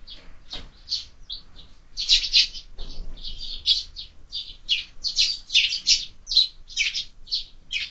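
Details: Sparrows crowding a window feeder that is stocked all year; loud, dense chirping that swells midway into overlapping bursts, then settles into quick repeated tweets.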